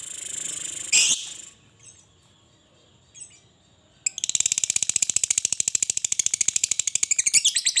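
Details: Lovebird 'ngekek' long chatter used as a lure to prompt lovebirds to sing: a noisy burst and near-silence, then a dense, fast, shrill chattering trill that runs on to the end.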